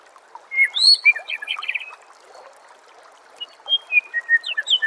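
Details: Master-recording song of a white-rumped shama for training songbirds: a loud tumbling phrase of whistles and quick trills, a pause with background hiss, then a series of clear, slurred whistled notes.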